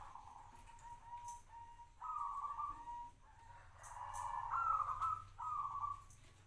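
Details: Zebra dove kept as a local cage bird for five years, cooing in a series of soft, slightly wavering notes that step up in pitch in the later phrases, over a low background hum.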